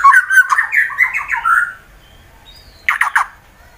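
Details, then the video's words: Song of a white-rumped shama used to spur rival birds into singing, recorded in Wonosobo, Central Java, Indonesia: a warbled run of rich, mid-pitched notes, a quiet pause, then three short harsh bursts. "Murai BATU FIGHTER Bikin Emosi lawan langsung GACOR"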